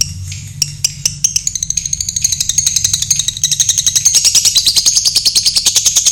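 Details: Caged Ashanti lovebird during a night bath, giving a long ngekek: a rapid chattering trill of high, scratchy notes that speeds up and grows louder into a continuous stream, with low background hum.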